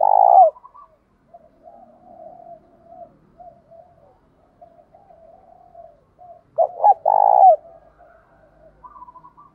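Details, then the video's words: Spotted dove, thổ pha đồng voice, with fighting and calling coos (thúc đấu, gáy gọi, hạp bổi). A loud coo opens and another comes near the end; a long run of quiet, low murmuring notes fills the gap between them. "cu gáy giọng thổ pha đồng Thúc đấu + Gáy Gọi + hạp bổi + giọng to rõ nhất hiện nay"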